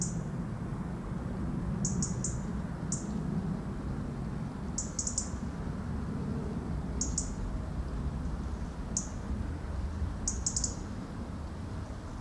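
European robin giving thin, high, clipped alarm notes, single or in quick doubles and triples, every second or two, over a steady low rumble.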